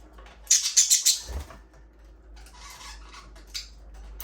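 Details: Aviary budgerigars chirping: a quick run of five sharp, high chirps in the first second, then softer scratchy chatter and a single brighter note near the end.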